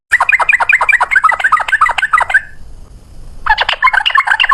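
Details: Rapid bubbling song of a yellow-vented bulbul, in 'ropel' style at high volume: dense chattering burst of warbled whistles, a short pause, then another fast chattering burst.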